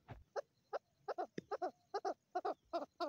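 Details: Soft, distant-sounding calls of a female chukar: paired and single clucking notes repeated in a loose rhythm, lower and muffled against a quiet background.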